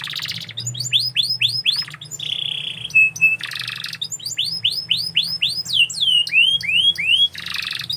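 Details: Canary song mixing dense buzzy bursts, series of arched chirps, a steady trilled tone and rapid swooping whistles, high and lively, with a low hum in the background.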